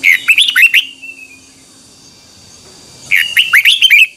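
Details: Red-whiskered bulbul singing its 2021 morning training song, twisting double-voice style: two lively phrases of rapid, upward-flicking whistled notes, the first ending in a thin trailing note, with a quiet gap between them.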